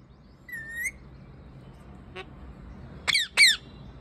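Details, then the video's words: Parrot sitting on a tree: one short, level whistled note rising at the end, a faint click-like call, then two sharp, loud, downward-sweeping harsh squawks close together near the end, against quiet low background hum. "Talking Parrot"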